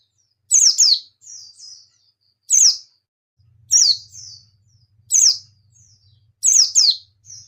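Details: Quick high chirps from a white-eye repeated roughly every one and a half seconds, often doubled, each followed by a faint wavering whistle; low steady hum in the second half.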